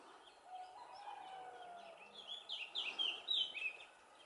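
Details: European greenfinch family group at Valleseco, Gran Canaria, on 23 June 2019: a drawn-out lower whistle, then a quick run of bright, high chirping notes in the second half, over steady background hiss.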